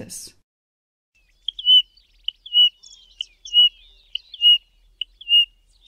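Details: Pririt Batis singing in the southern Karoo, South Africa: clear, high whistled notes, each sliding slightly downward, repeated steadily about once a second after a brief click at the start.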